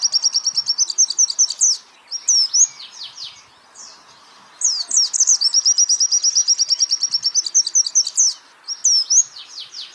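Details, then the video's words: Champion-style white-eye song for tutoring other songbirds, with long, steady, high-pitched rattling trills broken by clusters of quick downslurred whistled notes, then a brief lull before the trill resumes. "pleci Jawara Pake Masteran ini jamin Geter-GETER"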